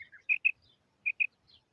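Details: Brief burst from a female quail: two crisp double notes about a second apart, preceded by a softer slurred chirp, in otherwise quiet surroundings.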